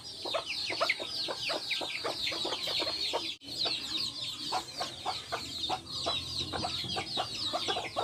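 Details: Backyard hens with chicks; dense, continuous high peeping from many chicks fills the clip, with short low clucks from hens scattered throughout and a brief break near the middle.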